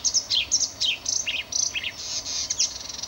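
A marsh warbler sings a fast, varied run of high chirps, trills and buzzy notes that change every fraction of a second, with no other sounds.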